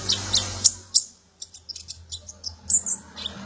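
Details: Sunbird, the local kolibri ninja, serving as song material for magpie-robins: thin, very high tsit notes, scattered at first, then a rapid run of soft high chips over a low background hum.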